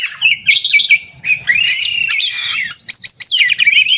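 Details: Kacer (Oriental magpie-robin) fighting song that provokes rivals into singing; a harsh, buzzy burst at the start, then a sustained rasping stretch, ending in bright, separate whistled chirps.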